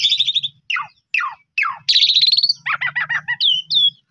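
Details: Asian pied starling song used to encourage a bird to sing: a buzzy rattle, three falling whistled notes, a rising harsh trill, then bubbling gurgles and two squeaky upslurred whistles, with low hum behind.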